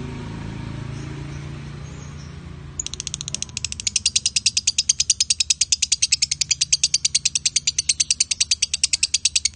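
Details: Male and female lovebirds sing after a quieter, noisy start: a long, rapid run of harsh, high chattering notes repeated about three times a second, steady and loud for nearly seven seconds.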